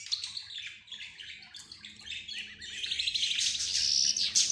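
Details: Pet budgerigars, zebra finches and a canary chatter at once. A thick high twitter builds to a bright, rapid trilling run near the end, with a soft low hum beneath.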